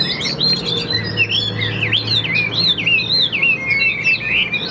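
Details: Tam Hoàng Chinese hwamei, a bird described as calm-natured with a good, steady voice, pours out a rapid run of rich whistled notes that swoop up and down in looping phrases, with a faint low hum behind.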